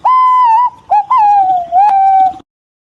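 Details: Whistled calls of green pigeons calling to each other: a long, level, clear note, a brief dip, then a lengthy wavering whistle that slowly drops in pitch.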